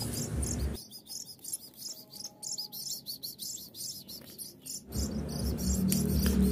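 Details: Hand-reared Javan munia chicks about two weeks old, tame and arriving one by one at a whistle, eager to be fed; rapid high chirps repeat roughly four per second, with louder mixed noise at start and end.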